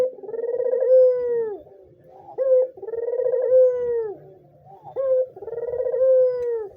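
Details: White dove calling energetically, meant as a lure or master for doves learning or reluctant to call: a short rising note, then a long rolling, fluttering coo that slides down at the end, repeated about every 2.5 seconds.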